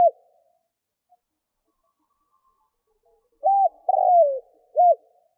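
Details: Cooing of a captive Vietnamese spotted dove used as a decoy to draw in wild doves: after near silence comes one soft three-part phrase, short note, longer downward-sliding coo, then a final short note, low and clear.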